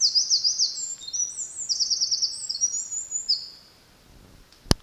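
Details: Eurasian wren singing in July 2023 at Kurokawa Keikanzan, Japan; a sustained, very high, rapid run of trills and sharp twitters lasting over three seconds, ending in quiet and one brief click.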